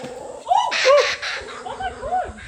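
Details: A kookaburra, one of two divebombing a goanna, gives harsh, cackling laugh-like notes, rising-and-falling hoots mixed with raspy bursts, in quick uneven runs over about two seconds.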